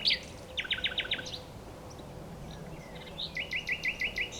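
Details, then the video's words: Two rapid series of evenly repeated notes from a singing nightingale, the first lower and rattling, the second a neat run of bright looping notes after a quiet gap. "A Nightingale singing - Nightingale - Birdsong"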